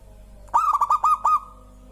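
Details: Local zebra dove song that prompts other birds to join in: one burst of quick staccato cooing notes, about five clipped pulses run together over less than a second, against a quiet background.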